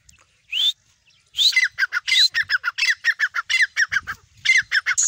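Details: Grey francolin, a female with chicks calling: a loud run of short harsh notes that rise and bend, repeated rapidly about four times a second after two separate rising whistles, with faint low rumbling behind.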